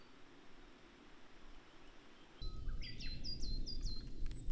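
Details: Coal tit, a wild bird in Japan, singing in April: after a quiet start, a quick run of high, thin two-note phrases, each a sharp rising then falling whistle, repeated about four times in one second, over low rumbling background noise.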